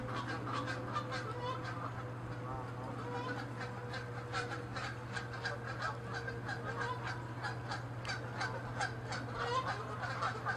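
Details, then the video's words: Canada geese fighting territorially, several birds honking at once; a dense continuous chorus of short harsh honks and clicks fills the whole stretch, with a steady low hum underneath. "Geese fighting & honking loud sounds"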